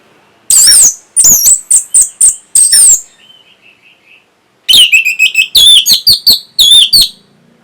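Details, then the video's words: Orange-headed thrush singing to stimulate breeding and prompt a response: two fast series of sharp, high, bouncing whistled notes in quick strokes, split by a short quiet gap with faint soft warbling. "NYANYIAN BURUNG PUNGLOR PEMBANGKIT BIRAHI AGAR KENCENG YANG PASTI 100% BAKAL NYAUT"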